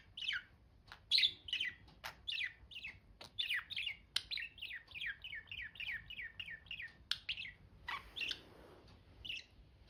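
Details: Budgies chirping at a moderate distance: a run of quick, evenly spaced down-slurred chirps punctuated by sharp clicks, with soft background hiss.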